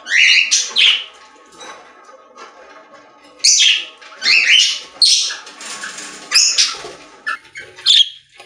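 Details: Parakeets, budgerigars kept in a pet store, singing in separate bursts of chattering warble and squeaky notes with quieter gaps, several birds overlapping.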